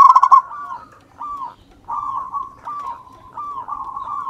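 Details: Native zebra dove song: a brief loud burst of clipped notes opens, followed by quieter drawn-out arched coos repeated about every second.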